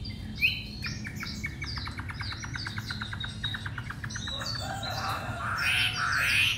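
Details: Caged three-month-old white-rumped shama in Hanoi, Vietnam, newly arrived and singing persistently: a rapid series of short clicking notes repeated about twice a second, then louder rich whistled phrases, over a low background hum.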